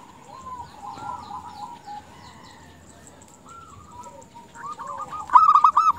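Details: Female zebra dove calling for males, played to lure males: a long stretch of faint background cooing from several doves, ending with a sudden loud rolling burst of rapid staccato notes.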